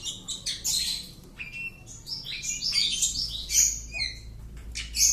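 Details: Caged Oriental magpie-robin kept at home, tested for boldness, pouring out a dense, rapid run of high chirps, trills and varied whistled notes with barely a pause, a steady low hum underneath.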